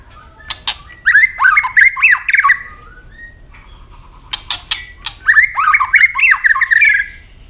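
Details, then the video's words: White-rumped shama in fighting song with tail snapping: two bursts of fast, jumbled warbling whistles, each led by crisp clicks and separated by a short pause. "chòe lửa chuyền hót đấu nết đập tạch đuôi chắc,kích chòe lửa hót đấu chớm lửa"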